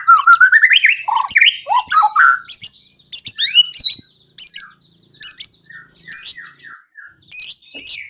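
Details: Prompting song of a white-rumped shama, meant to get birds singing quickly and show their repertoire. Loud, varied whistled slurs and sharp chips at first, then quieter falling whistles in a slower, steady series.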